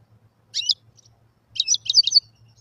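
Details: Wild European goldfinch song meant for teaching young birds: a brief liquid twitter, a short pause, then a longer phrase of quick tinkling, slightly buzzy notes, with a faint low hum behind.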